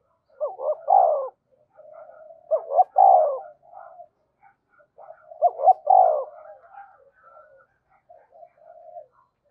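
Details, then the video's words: Spotted dove kept as a decoy and described as quick to provoke and coo, calling three phrases about two and a half seconds apart, each stuttered short notes then a round coo, with soft trailing murmurs between. "Chim Cu Mồi-cu gay kich boi nhanh noi gù"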